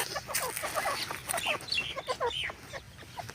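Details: Grey francolin calling, a rapid series of harsh, rising and falling notes with chattering, clucking overtones, repeated several times a second against a light background hum.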